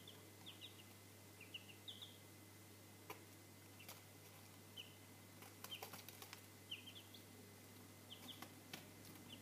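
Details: Three-day-old Cochin chicks of a Chinese breed cheep in short, high, slightly rising peeps, often in quick pairs, scattered through the recording among sharp tapping clicks and a steady low hum.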